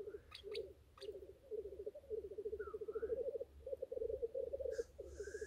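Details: Lekking male black grouse bubble in fast throbbing phrases during courtship display, with sharp clicks at the start, a few rising whistles, and one hissing burst near the end.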